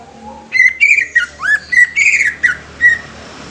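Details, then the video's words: Greater green leafbird: a jumble of whistled notes and squeaky, slurred phrases, some rising, in short bursts over about three seconds, with a soft low whistle before them. "SUARA ASLI CUCAK IJO"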